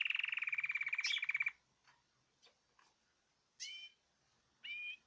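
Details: Group singing from caged birds: a fast, even buzzy trill lasting over a second opens, followed by faint ticks and two clear rising whistled phrases.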